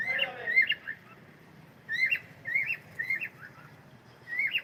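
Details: Cockatiel singing: short whistled phrases that rise and bend, repeated with gaps of about a second, over a soft low background murmur.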